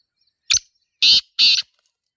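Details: Black francolin calling in the wild in a natural setting: a short sharp opening note followed by two loud, harsh, grating notes about a third of a second apart, with a quiet background.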